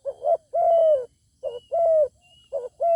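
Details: Zebra dove near a wild bird with a good voice that refuses to come down: steady low cooing, wavering short notes then long gliding hums, about one phrase per second.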